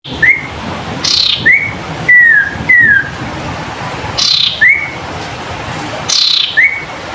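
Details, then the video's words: Cinereous tit, a songbird kept by hobbyists, singing in a lively, vigorous way; short whistled notes slurring around a mid-high pitch, repeated in pairs, mixed with brief hissy noise bursts and faint background hum. "Sirpu Cipoh Gacor"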